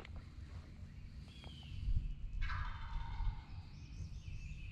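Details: Tennessee wild turkey gobbler, opening day of spring season 2023, giving one rolling gobble partway through, with low thumps and rustling nearby and a faint bird song.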